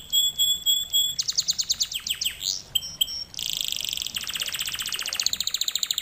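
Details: Canary singing as a lesson for canaries, with clear piped notes, a run of looping swept whistles, a short double note, then fast bright rattling trills and a high sustained roll.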